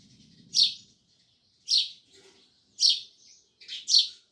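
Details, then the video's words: Sparrow chirping loudly and close: bright, harsh single chirps about once a second, the last a quick double note, with faint twittering in between. "Sparrows Loud Chirping Sounds"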